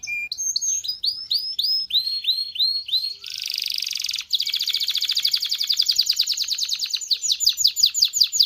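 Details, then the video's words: Excited male canary song used to prompt mating: repeated curved whistled phrases, a burst of harsh buzzy sound, then a long rapid trill of high descending notes. "تغريد كناري لتدريب ذكور واناث الكناري على التزاوج. صوت كناري لتزوج .. Canary singing"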